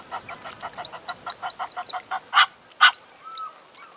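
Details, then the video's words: A reed cormorant on a farm in Dullstroom, South Africa, gives a quick run of harsh, nasal cackling notes, about six a second, ending with two louder notes; faint whistles from another bird follow. "Reed Cormorant (Microcarbo africanus) Bird Call"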